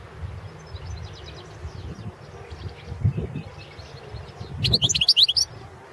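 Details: Balkan European goldfinch singing in a 2017 World Championship in Goldfinch Song entry: faint thin twitters early, then a sudden rapid run of sharp high tinkling notes near the end, against low rumbling background noise.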